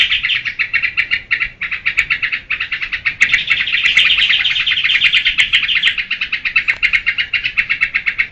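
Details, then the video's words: Sooty-headed bulbul singing in the rapid, fluttering geberan style: an unbroken stream of quick, bright chirps, about four per second, swelling into a dense rattling run midway, then easing back into evenly spaced notes. "Suara burung trukcuk geberan durasi full"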